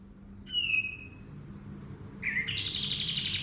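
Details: Pied triller song in 'ngerol' and 'nembak' style. A clear downslurred whistle comes first. After a pause, a rising note leads into a fast, buzzy, pulsed trill.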